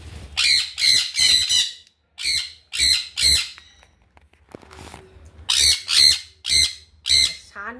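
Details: Sun conure, a pet bird said to be screaming all the time, giving harsh, raspy screeches in quick bursts of two or three, with short pauses between and a brief thin whistle at the end.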